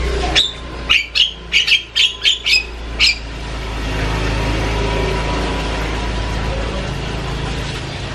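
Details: Asian pied starling chattering loudly, a quick string of about eight harsh notes over three seconds, then only steady low rumbling background noise.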